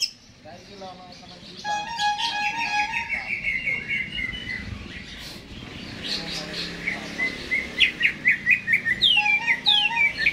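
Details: Caged greater green leafbird in vigorous song before being hung up, a varied medley of whistles and chattering notes building to a rapid, loud series of sharp repeated chirps near the end.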